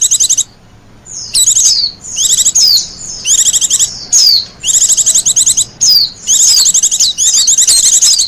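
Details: Wild white-eye singing, a song used for luring birds and as master song for training: bursts of rapid, high, twittering warbles with sweeping downslurred notes, about eight bursts separated by short pauses, over a quiet background.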